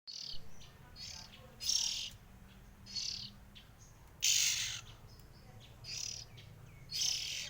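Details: Oriental magpie-robins, three siblings, giving harsh, hissing rasps, each under half a second, repeated roughly once a second over a steady low hum.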